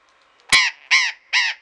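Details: Burrowing parrot in the Deanery garden at Pelhřimov, Czech Republic, on a February Friday afternoon, 16 February 2018: three harsh, raspy squawks, each short with an arched, rich harmonic band, spaced about 0.4 seconds apart.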